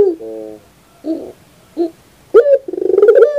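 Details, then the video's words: Barbary dove in training audio. Soft low notes and two faint short calls come first. Then a sharp bright note leads into a pulsing run that becomes a steady sustained coo. "Masteran terbaik Burung Puter 2021"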